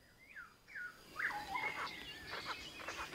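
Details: Male and female Kalij Pheasants at a wildlife photography hide just outside Kaeng Krachan National Park, Thailand, giving faint squeaky downslurred notes, then soft clucking and squeaking bursts over a quiet, noisy background.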